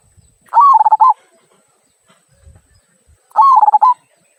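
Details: Local zebra dove delivering two "kung" song phrases, sung to prompt other birds: each a rising cooing note followed by several rapid rolling pulses, about three seconds apart, with soft low knocks in between.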